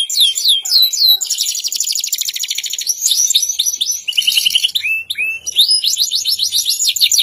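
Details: Canary delivering a varied song: swooping notes, fast buzzy trills, and high repeated chirps, continuous and loud.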